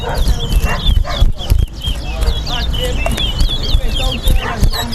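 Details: Towa towa competing in a singing race at a Guyana bird ground on Lamaha and Vlissengen Road, kept caged: rapid chains of sharp whistled, up-and-down slurred notes, mixed with people talking and counting nearby.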